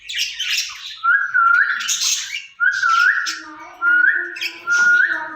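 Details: Two caged ringneck parrots talking to each other: a string of flat whistled notes with upturned ends, repeated about once a second, over harsher squawky chatter.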